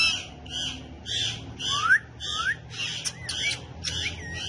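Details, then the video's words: Several pet parrots kept together, dancing and talking while perched on a bike; a run of harsh, buzzy squawks repeated about every half second, some with bent, rising whistled tones. "Parrots Dancing And Talking On The Bike"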